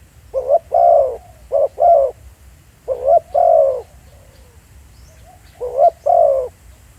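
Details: Spotted dove, a decoy bird calling live in the field in Thailand: low mellow coos in paired bursts, each pair a short note then a longer rolling coo, four bursts over seven seconds against a faint low rumble.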